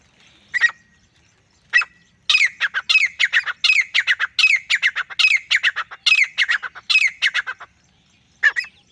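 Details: Male grey francolin calling by itself: a couple of single introductory notes, then a long, rhythmic series of loud, grating, repeated syllables before a final isolated note.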